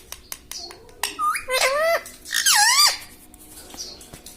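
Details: Talking pet parrot indoors, known for saying "mitthu" and "mummy", gives two strained, word-like utterances that swoop up and down, the second louder and longer, after soft tapping sounds in a small room.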